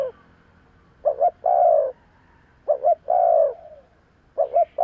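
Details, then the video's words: Spotted dove calling as a lure: two full phrases of paired short coos and a long falling croo roughly every two seconds, plus the beginning of a third phrase. "Tiếng chim cu gáy kèm kích bổi nhanh nổi - Suara yang menarik suara Tekukur Enak Didengar Buat Pikat"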